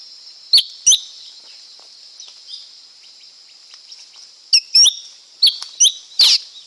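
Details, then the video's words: Lesser green leafbird gives two sharp chirps, falls mostly quiet, then returns with a rapid run of bright, sliding whistles and ends in a louder, harsher note, all against a constant shrill background buzz. "เสียงนกเขียวก้านตองเล็ก Lesser Green Leafbird Sound"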